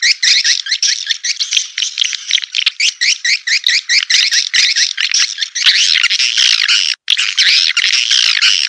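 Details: Raja Liur Emas lure for edible-nest swiftlets, played to pull birds into a swiftlet house: unbroken stream of bright, high-pitched chattering twitters, briefly pausing near the end.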